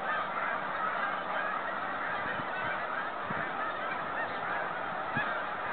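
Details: Snow geese heading home on migration in 2013, a distant massed flock giving a constant wash of overlapping honks, with a few closer low thumps.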